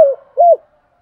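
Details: Spotted dove used as a decoy, calling the flock in the morning: two low, soft cooing notes, the first sliding down and the second briefly swelling and falling, in an otherwise quiet background.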